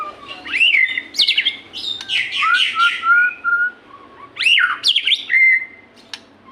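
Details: White-rumped shama singing, played to encourage reluctant captive birds: bright rising whistles mixed with dense chattering trills, a slurred descending phrase, and a final upswept whistle after a short pause.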